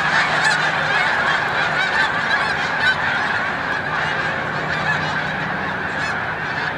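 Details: Snow geese on migration at Montezuma, New York, March 7, 2022, flying up several times; dense honking with distinct sharp calls popping out, fading a little toward the end.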